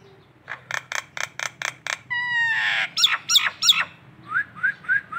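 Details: Nias hill myna of local stock singing as a training tutor: a rapid series of six loud buzzy notes, a drawn-out rasping slide, three piercing shrieks, then softer rising whistles repeated three times.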